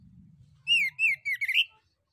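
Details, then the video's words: Male orange-headed thrush, a recording played as a lure to draw replies from other birds; a series of clear, slightly falling whistled notes, closing in a quick rising flourish, over a faint low hum. "SUITAN ANIS KEMBANG JANTAN DAN PANCINGAN ANIS KEMBANG GACOR"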